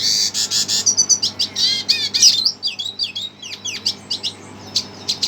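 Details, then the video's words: A red siskin sings a rapid, high jumble of twittering notes, buzzy trills and sharp chips, with sweeping slurred phrases; faint low hum behind. "Red siskin emosi dengar suara"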